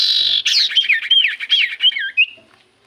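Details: Common iora song used as a lure to make other birds answer: a rapid run of clear whistled notes sliding up and down, dense and varied, fading out near the end.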